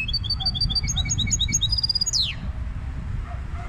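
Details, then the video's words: Goldfinch hybrid song of quick, evenly repeated high chirps in short trilled bursts, ending in one sharp downward-sweeping note, then a quieter tail with a low hum underneath. "هجين الحسون Mixto del Jilguero"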